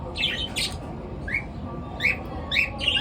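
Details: Short, bright rising tweets and a few scratchy squawks from pet birds in the morning, spaced irregularly about every half second, over a steady low background hum.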